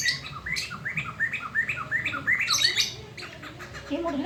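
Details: Black-throated laughingthrush, kept as a very loud tutor bird to encourage other birds to sing, calling at midday: a quick run of repeated rising whistled notes, then a sharp burst, over steady low background hum.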